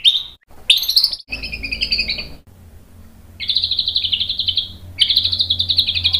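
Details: White-rumped shama, agitated song used to provoke other males: short high notes, then long, evenly pulsed, buzzy trills held at one pitch, repeated after a brief pause.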